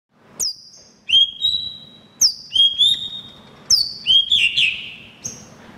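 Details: White-rumped shama, a bird kept to prompt caged birds to sing, giving clear whistled phrases that start with a high downward sweep and end in a long steady note, repeated about every 1.5 seconds.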